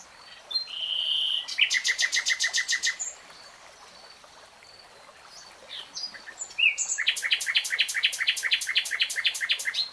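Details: Singing common nightingale: a steady pure whistle swells into a fast trill of identical notes. After a lull with quiet notes, a higher flourish launches a long, loud, rattling run of rapid repeated notes.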